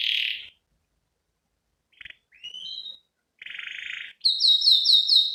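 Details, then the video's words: Canary singing an ornamented fill-in lure and tutor song in broken bursts: a short buzz, a pause, a rising whistle, a buzzy roll, then a quick series of bright high repeated notes. "Pancingan dan masteran burung kenari gacor cengkok isian"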